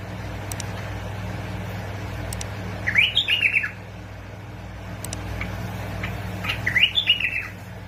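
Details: Bulbul song from Basra and Fao, Iraq, for prompting bulbuls to sing: two short warbled phrases about four seconds apart, each rising then tumbling in quick, liquid notes, with a constant low droning hum and faint clicks behind.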